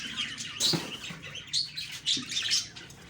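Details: Budgerigar chirps on the morning of October 2, 2023, a few bright, separate tweets and short warbles spaced about half a second apart, softer than a full chorus.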